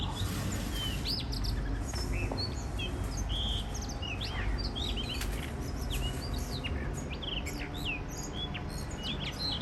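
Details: Wild blue rock thrushes at a balcony in Shonan, Japan, in spring 2023, a mated pair giving the first song of the year: scattered short whistled notes, upslurs and downslurs, over steady low rumbling background noise.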